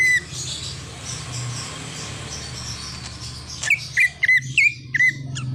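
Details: A greater green leafbird singing a song full of imitations, including a car horn. A brief whistle opens, then after a soft murmuring gap comes a rapid burst of short, ringing whistled notes with quick pitch flicks.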